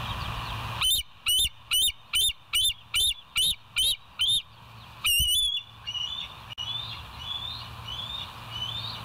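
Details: West End bald eagle on a live nature cam, 07/09/2023, 06:24: eight clipped, high piping notes at an even, steady pace, one longer ringing call, then softer wavering whistled notes trailing off over a constant low hum.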